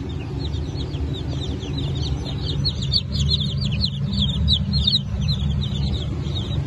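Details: Newly hatched Blue Brahma chicks from a hatch of 22 June 2024, with Trabzon Gugullusu chicks in the same hatch. Many high, shrill peeps rise and fall in quick overlapping bursts over a steady low machine hum.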